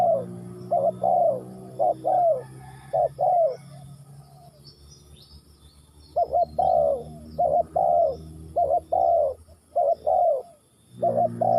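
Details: Spotted dove cooing in a repeated phrase: a short doubled coo followed by a longer, falling croo, given again and again roughly once a second, with a brief pause midway and a steady low hum underneath.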